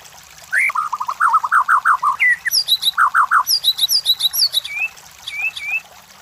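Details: Song of a white-rumped shama used to provoke competition birds: a rising whistle leads into quick runs of short notes, then high sharp phrases and three falling whistles, delivered at a brisk pace.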